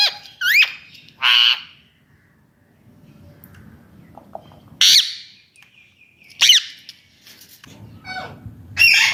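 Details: Pet Indian ringneck parakeet's natural voice: scattered, brief, harsh shrieks separated by pauses of one to three seconds, with faint low indoor rumble between.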